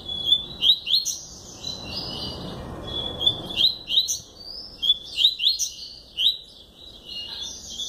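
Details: Double-collared seedeater, a kept bird, sings bright, high, rapid phrases of sharp upslurred whistles and short buzzy trills, repeated in quick bursts with brief pauses; background otherwise quiet.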